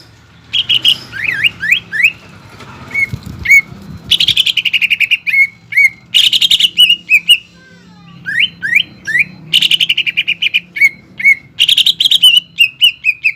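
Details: Energetic greater green leafbird song, 'nembak ngekek' style, used to lure young leafbirds to imitate: bursts of buzzy high trills alternating with rising whistled slurs and fast repeated chips, over low background rumble.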